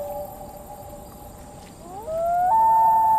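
A common loon gives a long, pure, mournful note that slides upward and swells into a louder, higher held tone.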